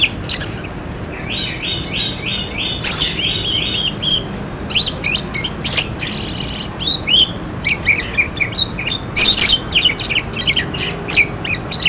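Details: Budgerigar chatter meant to prompt quiet budgerigars to start calling: a run of rapid, rhythmic buzzy notes followed by a jumble of high chirps and sharp clicks.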